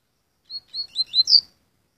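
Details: Hybrid Curió × Coleiro delivering a single one-second phrase: five high whistled notes, spaced slightly apart, rising in strength toward a bright closing note, with a clean silent background.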